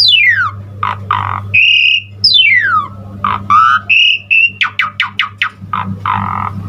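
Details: Asian pied starling singing a lively, full-fill song used as a lure and tutor for other starlings: long descending whistled sweeps, buzzy stacked bursts, steady mid-pitched whistles and a rapid run of sharp clicks, over a constant low electrical hum.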